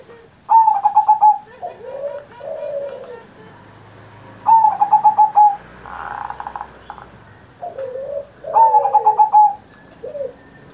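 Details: Zebra dove singing at length for Indonesia's 79th Independence Day, a master track for luring other doves into song: three loud staccato note bursts spaced about four seconds apart, with soft rounded coos between and faint low background hum.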